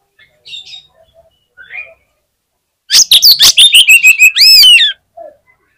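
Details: Oriental magpie-robin, a fighter bird hanging at a song contest and said to set other magpie-robins singing: a short loud burst of rapid harsh clicks and chips ending in looping rising-falling whistles, with faint quieter notes around it.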